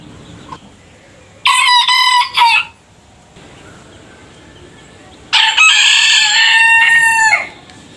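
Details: Rooster from a compilation of different roosters' crows: a short, broken crow, then after a quiet gap a longer, strong crow that holds steady and drops at the end.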